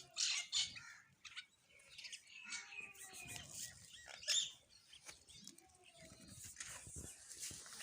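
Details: Sparrows chirping while eating food: scattered high, sharp chirps in short bursts with pauses, plus soft rustling and tapping between calls.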